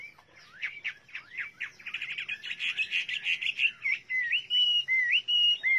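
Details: Loud Chinese hwamei song: quick zigzag whistled notes speed into a dense, buzzy trill, then give way to spaced, clear flat whistles with sharp upturned ends.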